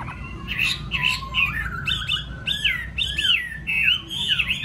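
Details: Caged Chinese hwamei of the yellow-billed type, kept at home: rich, loud song of slurred whistles, rising and falling sweeps and rapid warbled phrases, delivered continuously over a faint low hum.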